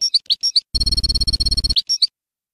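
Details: European goldfinch singing the Bayinam Ghazirat style for tutoring young birds: a few sharp tweets, then a long harsh buzzy rattle over a low hum, ending in two more bright chirps.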